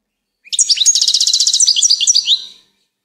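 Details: A single lively two-second Goldfinch phrase: high, rapid tinkling twitter with buzzy trilled notes in the middle and sweeter falling notes at the end, recorded cleanly with no other sounds.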